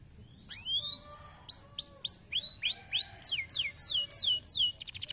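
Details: Stimulating canary song meant to get lazy canaries singing: a clear rising whistled sweep, then runs of repeated upward-curving whistles turning into falling slurred notes about three per second, ending in a very rapid high trill.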